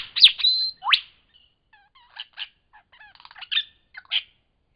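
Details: Lyrebird singing in Cape Liptrap Coastal Park: loud sweeping whistle and sharp rising crack, followed by a medley of soft twangy chirps, clicks and short buzzy bursts.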